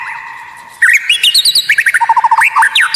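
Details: Murai batu (white-rumped shama) tutor song of unusual, rare notes for provoking rivals: a soft start, then a quick rhythmic string of short clipped notes mixed with rising whistles.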